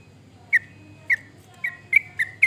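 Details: Sooty-headed bulbul sounds used to prompt other birds to sing: six short, clear whistled notes, sparse at first and then coming closer together, over a quiet background with a low hum.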